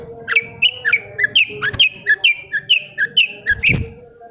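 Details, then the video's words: Long-tailed shrike song played to stimulate silent shrikes to sing: a rapid series of short chirped notes, about two per second, alternating slightly in pitch, with a steady low hum behind and a soft thump near the end. "SUARA CENDET INI BISA MERANGSANG CENDET MACET JADI RAJIN BUNYI PAGI SIANG MALAM"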